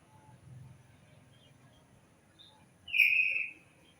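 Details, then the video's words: A single bird gives a short bright chirp with a faint higher note above it, standing out against a quiet low background hum. "Suara Burung"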